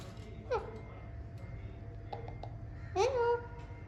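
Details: Alexandrine parakeets talking while playing: two brief, speech-like utterances about two and a half seconds apart, each a quick rising-then-falling voiced phrase, over a low indoor hum.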